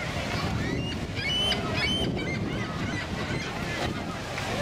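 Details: A huge, close flock of Ring-billed gulls at Prospect Point by the American Falls, Niagara Falls, on an early evening of 5 July 2018 gives overlapping harsh, mewing cries over the waterfall's roar, with a person talking.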